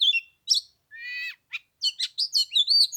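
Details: Lunar New Year Oriental magpie-robin song in cold 15-degree weather, meant to draw a rival to fight: sweet whistles, a long nasal harmonic note, then dense quick twittering and warbled whistles.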